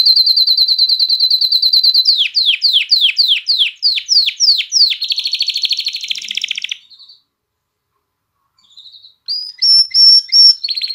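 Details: A canary sings to stimulate hens to breed and to coax young birds into song. A steady rapid high trill gives way to about eight downward-slurred notes, then a buzzy roll, a pause and clear whistled notes.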